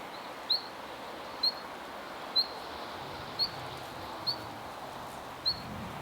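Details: Siberian long-tailed rosefinch calling in a park: short, thin high notes repeated about once a second, six in all, over a soft, steady background hiss.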